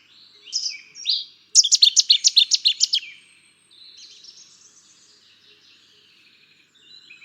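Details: Cetti's warbler bursting into an explosive, rich staccato song of about a dozen loud, evenly spaced notes, preceded by softer warbled phrases and followed by faint chattering from other birds.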